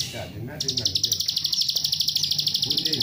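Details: A plain prinia in the fast 'nembak rapet' style, meant to trigger other prinias to sing, launches after a short voice into a steady stream of quick, sharp, buzzy high notes lasting the rest of the moment.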